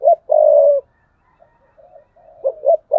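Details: Spotted dove kept as a decoy, thúc bổi cooing style (2022). A long rolling low coo opens, then soft muted notes, then two short notes starting the next phrase, cut off at the end.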